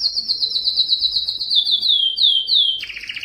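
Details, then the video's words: Yellow canary singing a high trill of repeated swooping notes that gradually descend in pitch, ending with a sudden lower rapid pulsed burst. "Observing the Enchanting Song of the Canary Yellow" canary yellow singing"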